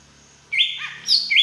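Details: Green leafbird, a large native bird from Beutong forest in Aceh, singing with fill-in phrases imitating a drongo: one brief bright burst of high whistled and chattering notes after half a second of quiet, over a faint steady high background tone.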